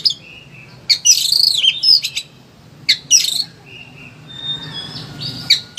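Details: Oriental magpie-robin (kacer) singing in a high-emotion state, material for teaching or provoking reluctant singers: scratchy bursts and short whistles with pauses, followed by thin sustained high tones, over quiet background noise.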